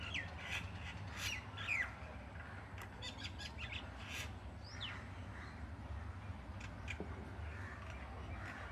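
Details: Morning bird sounds: harsh squawky calls and sliding chirps come in irregular bursts during the first half, then fade to sparse faint notes, with a steady low rumble and hum throughout.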